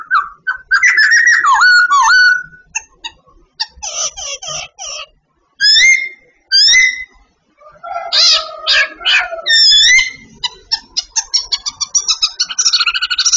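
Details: Babbler in daily training, singing a varied sequence: sliding whistles, harsh chattering bursts, sharp downward-slurred notes, and a closing run of rapid, accelerating clipped notes.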